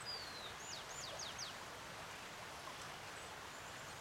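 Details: Giant hummingbird (Patagona gigas) in hotel gardens giving a thin, high whistle that slides down, then four sharp descending 'tseew' notes in quick succession, over steady hissing background noise like running water.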